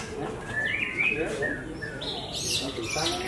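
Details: Javan white-rumped shama (Murai Batu Jawa, "Larwo Blorok") at a songbird contest stand giving varied whistled phrases with sliding and rising notes in quick succession, with other birds and crowd murmur in the background.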